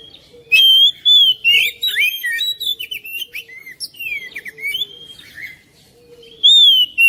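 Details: Oriental magpie-robin singing to coax another magpie-robin into song: loud clear whistles open the phrase, then a rapid, varied chatter of slurred notes that fades, and a final pair of strong whistled notes.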